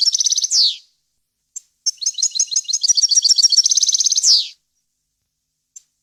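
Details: Goldfinch song recorded for young birds to copy, varied wild-language style: a short twitter ending in a falling sweep, then a long phrase of rapid repeated chirps and a buzzy trill closing with a downward sweep, and a few isolated notes.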